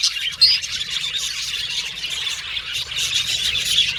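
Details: Budgerigars, several pet birds, calling together: a sharp squawk near the start, then continuous high chattering and twittering that swells toward the end.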